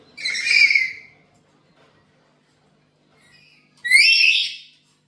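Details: Black-capped lory at home, calling to lure birds: a harsh screech, a faint short note, then a second loud rasping screech about three and a half seconds later.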